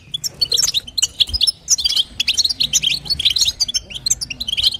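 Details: High, sharp, rapid chirps from a female European goldfinch calling to stimulate the male, in the local batbata and sastasa styles, delivered in uneven clusters with short gaps.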